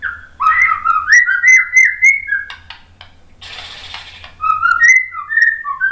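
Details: Clear, pure whistled notes from a white-rumped shama, used as a lure for provoking replies, wandering up and down in a melodic run, interrupted midway by a hissing noise.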